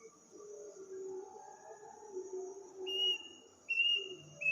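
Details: Unknown bird with an eerie call, often heard at midnight in a village on the night before Eid: after a quiet stretch of insect hum, two high, level whistled notes ring out about a second apart.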